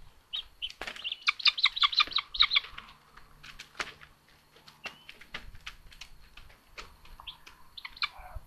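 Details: Common buzzard chicks on a nest in Tiszalök, Hungary, on 29 May 2022, as the younger sister attacks her brother: a quick run of high, squealing cheeps, mostly quiet, then a few thin calls among scuffling knocks and thumps.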